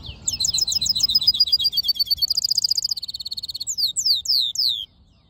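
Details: Black-hooded yellow siskin mule in full song: fast, high, rattling trills that change speed and tone, ending in a few loud downslurred whistles. The background is quiet.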